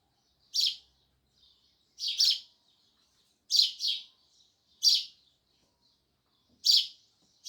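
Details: Loud chirping of sparrows, crisp high chirps given singly or in quick pairs at irregular gaps of about one to one and a half seconds, otherwise quiet.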